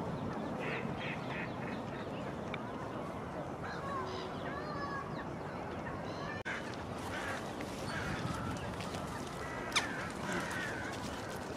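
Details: Jackdaws of a growing colony around the Henry Moore sculpture in Kensington Gardens, London, give short clipped 'chak' calls in quick runs, several birds overlapping, against a steady roar of wind or distant traffic.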